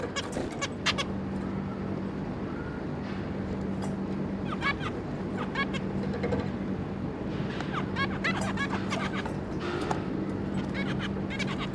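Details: A zebra finch family of two adults and three juveniles, 26 May 2022: scattered clusters of brief nasal beeps separated by quieter stretches, over persistent low rumbling noise and a constant hum.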